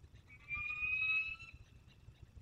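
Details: Wild peregrine falcon back from a hunt in the Barycz Valley, Poland, on 27 August 2022, giving a single long, thin, even wailing note of about one second, then quiet.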